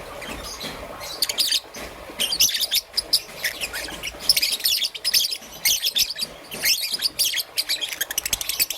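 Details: Young peach-faced lovebird, green and yellow, heard in the morning: rapid shrill high chirps and squeaky twitters in dense irregular bursts, with short quiet gaps between runs.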